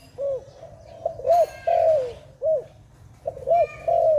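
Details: Clear dove cooing: arched short notes and a long falling drawn coo in a repeating phrase, with brief rustling and a faint high chirping bird in the background.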